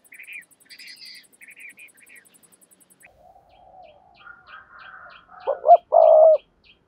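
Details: Spotted dove lure call, played to stimulate silent doves to call. Brief high chirps from other birds come first, then one loud low coo: two short notes and a longer sustained final note near the end.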